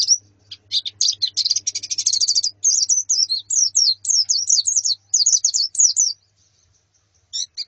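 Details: A colony of white-eyes with a female, used to get a male singing: dense high chattering that builds into a rapid buzzy trill, then sharp zigzag chirps, fading to quiet near the end.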